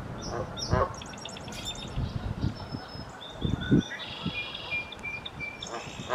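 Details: Song Sparrow male in Ottawa in April 2023, singing right beside the recorder in spring: sharp high notes and a quick rattling trill, then thin sustained tones, with low thumps and traffic-like rumble beneath.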